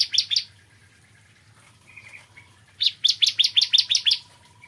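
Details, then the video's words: Morning singing by a bar-winged prinia, called ciblek kristal: a few sharp chirps, a quiet gap with faint softer notes, then a fast run of about nine loud, high chirping notes. "Kicauan Ciblek Kristal Dipagi Hari"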